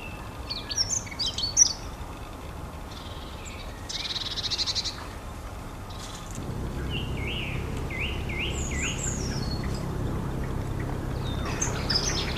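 Long-tailed tit: thin high chirps, a buzzy trilled burst, then quick rising notes, over steady low wind or traffic rumble.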